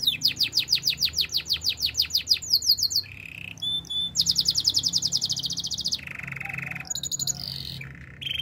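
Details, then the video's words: Training song of a canary meant for coaching other canaries: a fast run of sharp repeated chips, short buzzy tones, a long high rolling trill, then a low buzz and scattered bright notes. "The best melodies canary singing"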